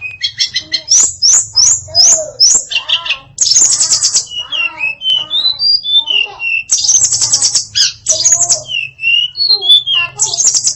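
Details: Female hill blue flycatcher (tledekan) singing a varied song full of fill-in phrases: fast high chips and trills, sliding whistles dropping and rising, and harsh buzzy bursts, delivered in quick continuous succession with a faint low hum beneath.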